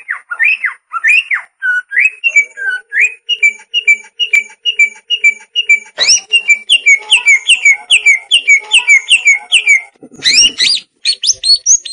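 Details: Masteran of a champion-candidate greater green leafbird: a steady series of short rich whistled notes, each with a faint lower echo, roughly two to three per second, shifting toward higher, more emphatic notes and a final burst of harsh chatter.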